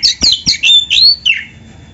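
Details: Oriental magpie-robin singing for songbird training; a short burst of loud harsh notes and one rising whistle ending in a falling slur.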